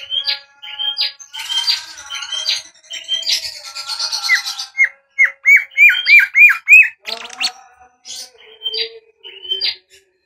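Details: Bimoli singing, used as a lure to train other birds: a lively run of short whistled phrases with quick upward flicks, then a fast burst of repeated rising notes and harsher chatter before it eases off.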